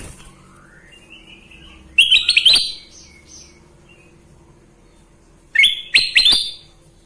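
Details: Sooty-headed bulbul giving two loud phrases of rapid, liquid, chattering whistles about three and a half seconds apart, with faint softer notes in between.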